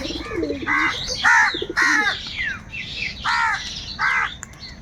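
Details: Crows squabbling over food caw angrily in quick, rough bursts, nearly two per second, while soft low coos and sharp chirps sound underneath.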